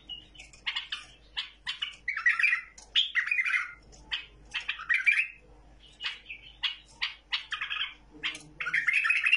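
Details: A tame bulbul gives a run of harsh, chattering phrases mixed with short squawky notes, in bursts about every half second, with quiet gaps between them.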